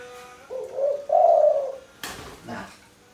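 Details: Captive spotted dove indoors at night, cooing in reply to its owner's finger snaps as he passes: a soft, low, hollow two-note swelling coo, followed by two sharp finger snaps.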